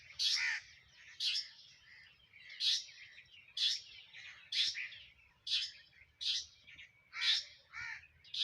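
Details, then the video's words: Sparrows eating food chirp steadily, a string of about nine harsh, emphatic chirps roughly one per second, each a short scratchy burst. "eating Sparrow Chirping Sound | Sparrow Birds Eating Food Chirping"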